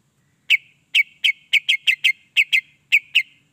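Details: Greater green leafbird song used to stimulate other leafbirds, here a steady series of short, clear chip notes, mostly in pairs, repeated roughly every quarter second.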